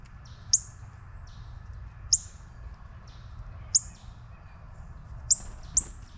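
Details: Juvenile northern cardinal calling with crisp, very high chips, five in all, the last two close together, with fainter softer notes between them and a low hum underneath.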